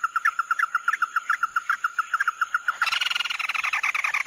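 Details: Chim mắt đỏ singing in the 'tí nỉ' style: a steady run of short, clear mid-pitched notes, about four per second, broken near the end by a burst of dense, raspy chatter. A constant high tone hums throughout.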